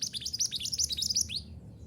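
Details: Mantenan gunung recorded to help caged birds sing: under two seconds of quick, high upswept chirps in tight succession, ending on a single falling note.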